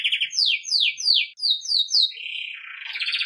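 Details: Belgian canary in campainha song style, used for training young birds: a series of high descending whistled slurs repeated about three times a second, then a softer rolling trill.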